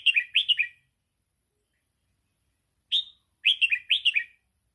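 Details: Red-whiskered bulbul, 'sai ble' style song for teaching young birds: a rapid run of lively falling notes, a lone sharp note after a pause, then a second fast tumbling phrase. No other sounds.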